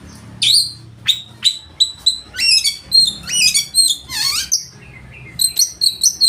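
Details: Loud oriental magpie-robin in full varied song that stirs rivals to sing and spread their tails: clipped high whistles give way to dense tumbling chatter, a harsh falling rasp, then rapid repeated bright notes.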